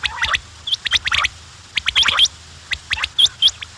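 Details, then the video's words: Quails chattering: bright upward-hooked chirps and clusters of sharp clicks, with a short raspy note at the start. "The sound of quails بٹیروں کی آواز"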